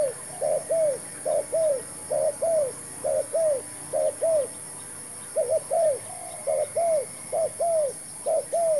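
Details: A spotted dove used as a new lure bird in dove trapping with a new trap keeps up a long run of soft, hollow coo pairs, short then drawn-out and slightly falling, nearly a dozen pairs in quick rhythm.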